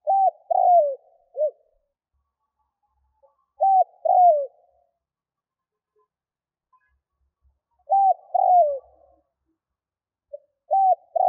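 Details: Spotted dove cooing to entice wild doves, phrases repeating roughly every four seconds: short arched notes followed by a drawn, downward-sliding coo, soft and low-pitched.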